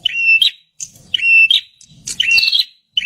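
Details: Prinia song used as a lure for wild birds: loud repeated phrases, each a sharp click into a sustained high thin whistle ending in a buzzy flourish, about once per second, with faint low background rumble.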